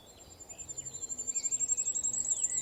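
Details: Very high-pitched male firecrest song from a Portuguese spring woodland, a rapid run of thin notes accelerating and rising, with blackbird and skylark song lower behind it.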